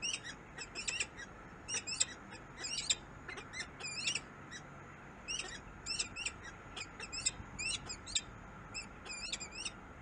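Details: Harsh, scratchy calls of a peregrine falcon in Harrisburg, USA, coming in quick clustered bursts separated by quieter gaps, fairly soft, over a faint steady background hiss.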